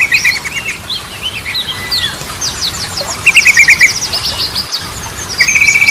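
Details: Yellow-vented bulbul lure song for bringing stalled birds back into voice, with Ropelan, Goklikan and Garudaan styles. Buzzy rattling phrases alternate with high chattering runs, ending in a rapid trill.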